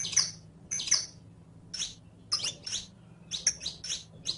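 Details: Saffron finch (canario criollo, Sicalis flaveola) song used to teach other canarios criollos to sing: bright, high chirped phrases in short bursts, about two each second, with brief pauses between groups; a faint low hum underneath.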